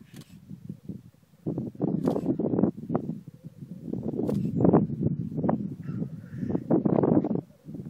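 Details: Black grouse at an early-morning spring lek in Glen Bruar, Atholl Estates, Scotland: low bubbling cooing in rolling bursts, broken by sharp hissing outbursts, with the sound of handling or movement close by.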